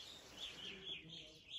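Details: Evening Grosbeaks at the Sax-Zim Bog Welcome Center in winter, a phenomenal winter for them there, give short, clear, high whistled notes about one every quarter second, over a faint murmur of voices.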